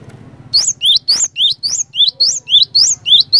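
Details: Vigorous cinereous tit song meant to stir other cinereous tits into singing: following a short murmur of background noise, a rhythmic chain of around eleven sharp whistled phrases, alternating high and low, delivered almost twice a second over a low hum.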